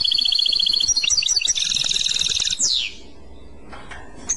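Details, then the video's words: Goldfinch song in the clochette style: nearly three seconds of rapid, ringing trill units shifting pitch, ending in a sharp descending slurred note, then near silence with a faint chip. "تغريد كلوشات Chant Clochette"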